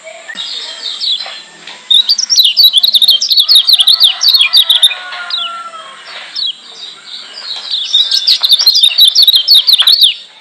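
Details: Lombok white-eye (kecial kuning Lombok), a master recording meant to provoke hearing white-eyes into agitation: two long bursts of fast, high, scratchy twittering chatter separated by a quieter pause with scattered notes.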